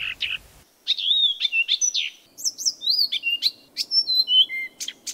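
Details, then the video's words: A Blyth's reed warbler sings at night, a varied run of bright, clear whistles and short chirps, several notes per second with sliding pitches and brief harsh chips. "Blyth's Reed Warbler song at night"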